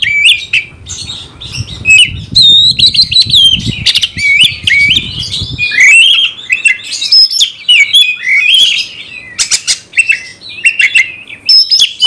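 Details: Oriental magpie-robin in captivity singing to provoke combat in rivals; long unbroken stream of bright whistles, trills and buzzy notes, with a low rumbling noise under the first half.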